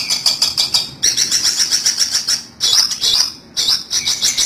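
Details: Trapping lure of a long-tailed shrike, with fast, strident, buzzy chattering in steady runs of repeated notes separated by brief silences.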